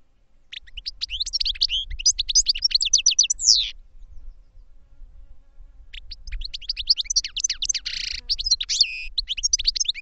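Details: Two long bursts of goldfinch song, each a tumbling run of quick high twittering notes and buzzy trills, separated by a short gap, over faint low hum.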